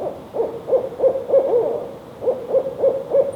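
A male barred owl gives deep, rhythmic hoots in two quick runs of about four notes each, a few ending in a downward slur.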